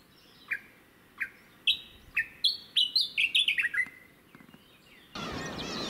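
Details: Japanese bush warbler on Teuri Island, Hokkaido, Japan, 22 June 2019, delivering a run of sharp whistled notes that speed up and climb, then tumble lower and fade, followed by a sudden loud rushing noise.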